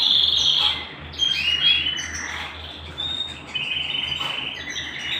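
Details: Home canary: a loud bright phrase at the start, followed by softer sliding whistles and chirps in uneven bursts.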